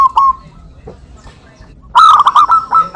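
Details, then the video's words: Local zebra doves calling back and forth, used as a lure: a soft early coo, then a loud, ringing, rapidly stuttered cooing phrase with rhythmic pulses during the final second. "perkutut lokal gacor suara saling saut cocok untuk pancingan"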